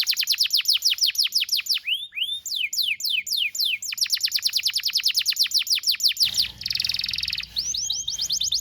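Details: Young-canary training song: long runs of rapid descending chirps with a brief swooping whistle interlude, ending in a dense buzzy trill and fast rising notes.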